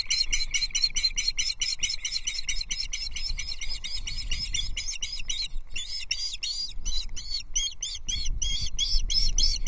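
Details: Loch Arkaig Osprey nestlings squabble during a trout feed, 13 June 2024. High squeaky notes follow in quick succession, uneven and overlapping later on, over a low rumbling background.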